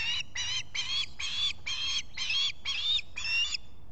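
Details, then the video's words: Osprey at a nest camera at Salt Point in the Finger Lakes, US, on 23 July 2021 in the morning: a series of eight loud, harsh, squealing notes, each about a third of a second long, repeated steadily about twice per second. "Olan squawking"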